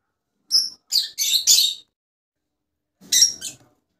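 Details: Rosella call sequence: a rapid burst of four shrill, buzzy chirps, a pause, then two more sharp notes.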